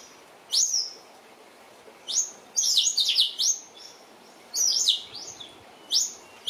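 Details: New Holland honeyeaters bothering a resting mother Western Grey kangaroo and joey; high sharp chirps given singly and in short clustered bursts separated by quiet gaps.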